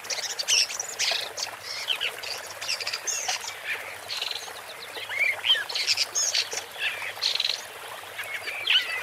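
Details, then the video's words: Woodchat shrike singing a busy, scratchy run of short chirps, squeaky notes and brief whistled slurs, packed closely with hardly a pause across the stretch, sitting in a high, bright register over a quiet background. "Woodchat Strike (Lanius Senator) Bird Song"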